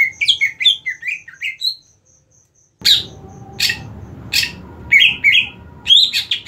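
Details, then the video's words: Green leafbird in competition-style training. A lively series of slurred whistles is followed by a brief silence, then harsh, noisy bursts mixed with further bright whistled phrases. "Beberapa macam cara penerapan settingan lomba untuk cucak ijo"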